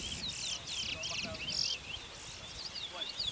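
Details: Chestnut-bellied seed finch (bullfinch) at a bird whistling competition in Arima, Trinidad, 2019: a rapid, high warbling song of quick whistled sweeps and twitters, almost without pause, over a low murmur of people and noise.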